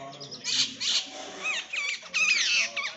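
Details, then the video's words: Bank mynas squabble over food with harsh, rasping bursts, then quick whistled swoops and squeaky chirps; jungle babblers may be chattering among them in the fight. "Bank Mynah, jungle Babbler and a fight over food"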